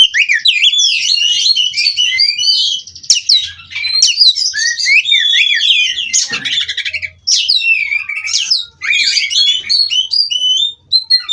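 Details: Captive-bred White-rumped shama from Cirebon rolling nonstop through a rich, varied song of rapid whistled slurs, buzzy trills and chattering bursts, with only brief pauses.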